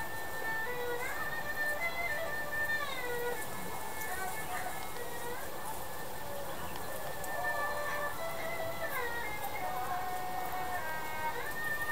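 Music with sliding tonal lines and some speech over a low rumble of traffic or rain, with no animal sounds.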